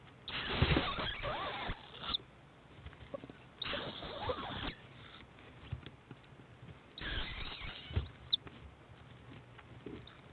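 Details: Owlets competing at a 7am feeding on 7 March 2010 as their mother brings a snake or eel; three loud, harsh, hissing bursts about a second and a half each, separated by quieter rustling.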